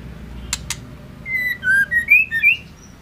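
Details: Female white-rumped shama (murai batu) calling to rouse a male: two sharp clicks, then a run of about six loud whistled notes, alternately rising and dipping, each about a quarter-second long, over a low background hum.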